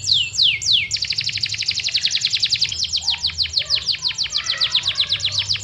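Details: Yorkshire canary, a popular master voice for contest birds: two long falling whistles open a fast, steady trill of repeated short notes that runs on for several seconds.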